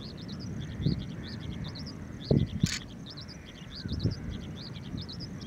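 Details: An Oriental skylark at the Kumbla-Shiriya estuary, Kasaragod, in January 2021 calls for a very long time: a fast, unbroken stream of thin, high chirping notes, several each second, over low wind rumble and a few handling thumps.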